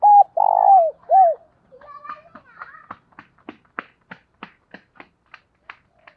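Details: Spotted dove decoy bird giving calling coos, in the styles known as thúc and gáy gọi: three low mellow hooted notes, short, long, then short and falling, followed by soft voice-like sounds and a run of sharp clicks about every third of a second.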